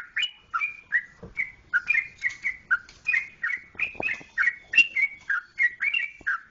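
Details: A rapid chatter of clear, slurred whistles from a yellow-vented bulbul of the Jogjakarta type. The notes bounce up and down in pitch at a steady, lively pace, with a couple of soft clicks between them.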